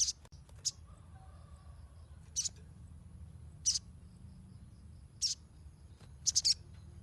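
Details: Chattering Ruby-cheeked sunbird used to coax untrained birds: sharp high chirps spaced one to two seconds apart, ending in a fast run of three, over a steady low hum.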